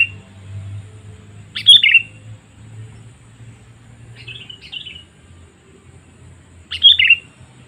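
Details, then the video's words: Sooty-headed bulbul lure calls to attract wild birds: three short, lively, chattering phrases spaced a few seconds apart, the middle one softer, with a low rumbling hum underneath. "Suara Panggilan Kutilang Memanggil Burung Liar ‼️ Pikat Kutilang Cengkram"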